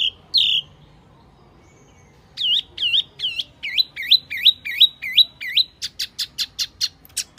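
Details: Wambi lure call played to attract wild birds: loud clear whistled notes, each dipping then rising, repeated rapidly in a steady series, ending in sharp bright clicks.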